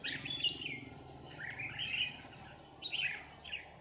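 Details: During decoy trapping of wild red-whiskered bulbuls, dated 27 November 2018, a few brief warbled phrases of bright, slurred notes come in three spaced bursts over constant low noise.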